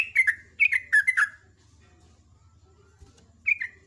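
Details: Sooty-headed bulbul, called trucuk, singing in the morning: a fast cluster of clear, falling chirps, a pause, then a short two-note phrase; low hum faintly underneath.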